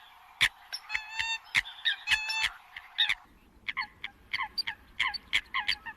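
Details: Eurasian coot calls in the migration season: ringing, harmonic honks and clipped notes close together, then a quicker run of short, nasal calls over a faint low rumble.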